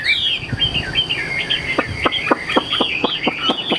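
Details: Chinese hwamei kept in a cage by a seller, singing a continuous wavering whistled line, while sharp short ticks sound roughly every quarter second underneath.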